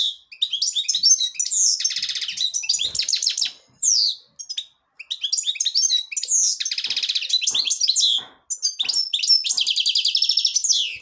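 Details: Devonash-style song of a black-headed European goldfinch. Bursts of rapid metallic twitters and buzzy trills alternate with sweeping downslurred whistles and brief pauses.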